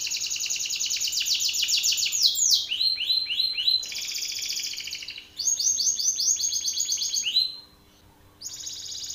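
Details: Belgian canary male singing hard at another male: long passages of rapid rolling trills and buzzy tours separated by brief breaks, ending after a short silence with a fresh burst of song.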